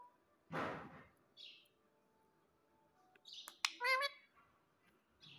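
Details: Household pet parrot: a broad rasping burst, then a brief high squeak, then after a pause sharp clicks leading into a short harmonic squawk, followed by a faint high chirp.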